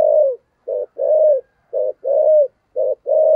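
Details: Spotted dove in the giọng thổ sấm voice, a recording meant to make wild birds call back; steady low coos alternating short clipped notes with longer slurred falling ones, loud and continuous.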